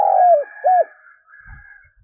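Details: Lure spotted dove, 'giọng thổ' style, kept to draw wild doves: a long falling coo followed by one short arched coo, then quiet with faint low thumps.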